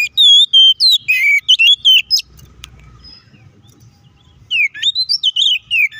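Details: Provoking fighting song of an Oriental magpie-robin: clear drawn-out whistles break into quick chattering notes. After a quiet pause the bird resumes with rising whistled phrases and rapid chips.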